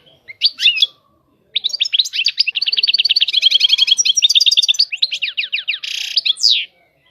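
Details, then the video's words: Goldfinch singing a long tinkling phrase: a few opening chirps, a pause, then a rapid rolling trill of bright repeated notes lasting about five seconds, closing with a buzzy note and a falling slur. "طائر الحسون. اجمل الطيور المغردة Goldfinch. The most beautiful songbirds"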